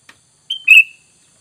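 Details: Sooty-headed bulbul lure sound, used to draw untrained wild bulbuls into answering; a short clipped note, then a bright slurred whistle that drops and fades, over a faint steady high hiss.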